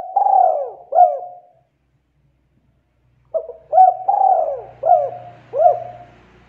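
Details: Spotted dove giving soft, mellow coos, two hooting notes, a pause, then a run of four or five coos roughly every second, over a faint low hum; offered as a call for luring wild doves.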